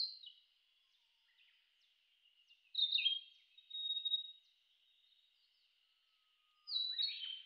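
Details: A male Narcissus flycatcher, territorial, sings short, bright whistled phrases separated by pauses of a few seconds, in Shin'etsu highlands, Japan, mid-June 2019.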